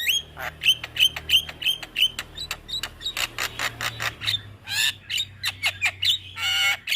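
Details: Javan myna singing as a master recording to prompt young mynas: rapid series of short whistled chips and harsh clicks, roughly three per second, broken by grating squawks and ending in a rasping buzzy phrase.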